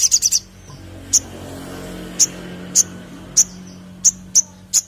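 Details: Crested jay lure recording: a quick opening burst of four high notes, then single sharp piercing clicks repeated roughly every half second to a second. Soft low hum behind.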